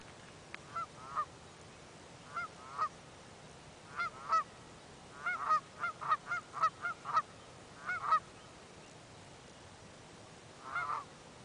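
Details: Geese raising the alarm as a person comes within about 20 feet: loud nasal honks, first spaced, then a rapid run of about ten in quick succession, then a final honk after a pause.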